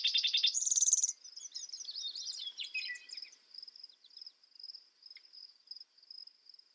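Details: Spotted towhee song: a loud, fast trill of rapid buzzy notes that ends abruptly, followed by softer twittering from other birds over a steady high insect-like whine.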